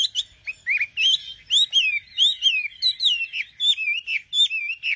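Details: Nightingale song made of clear, rapid whistled notes that swoop up and down, grouped into even bursts about every half second, with no other sounds.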